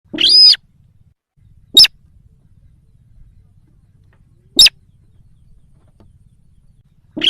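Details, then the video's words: Sintar sawah lure call used to draw in wild sintar: a loud, harsh, raspy call repeated twice, with sharp broadband clicks in between, over a quiet background. "Suara pikat sintar sawah||sintar liar auto nyamperin"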